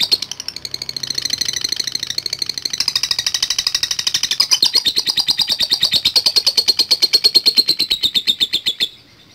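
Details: Chattering lovebird giving a long ngekek run to provoke rivals: a sustained rapid train of high rasping pulses lasting about nine seconds, steady in rhythm, ending abruptly.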